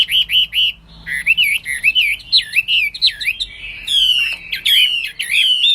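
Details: Hwamei, locally called wambi, in energetic song: loud varied whistles that swoop and curl up and down, some clear and fluty, others with harsh buzzy overtones, delivered in a continuous tumbling stream.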